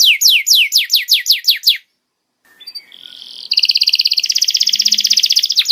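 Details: Singing canary recorded as a tutor for young canaries: a quick series of falling whistles, a short pause, then a long fast buzzy two-toned trill.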